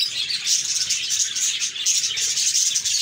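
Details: A group of cheerful budgerigars, busy high-pitched chirping and warbling layered densely, with a short dip in the chatter just after the first second.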